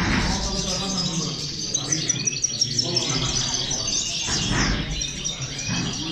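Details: European goldfinches singing together, used to motivate other goldfinches: dense high twittering and tinkling notes overlapping continuously, with a low rumble of background noise beneath.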